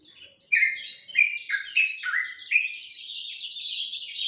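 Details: Dawn song of a lemon-bellied white-eye, a fast run of bright chirping notes that step downward, then merge into a continuous high, rising twitter.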